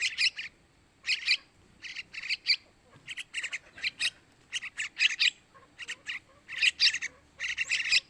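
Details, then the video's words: Begging chicks of the sooty-headed bulbul, used to call in males: dense, scratchy chirps in irregular bursts of two to four, nearly continuous. "Suara Anakan Trucukan buat Pancingan burung Trucukan jantan"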